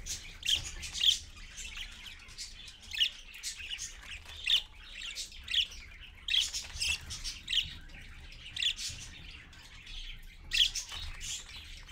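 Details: Parakeet parent and babies calling at dawn, 6:20 AM, on a live feed: grating, high-pitched squawks spaced about a second apart, with a softer scratchy chatter in between and brief gaps.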